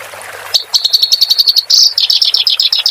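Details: Clamorous reed warbler, played to train cage birds, starts after a half-second of hiss with a run of evenly spaced sharp high notes, then a louder burst and a series of quick buzzy chirps.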